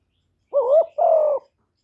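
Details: Single spotted dove coo phrase, recorded cleanly to stimulate newly kept doves: a wavering upswept first note running into a longer, steady, gently falling second note, low and mellow, no other sounds.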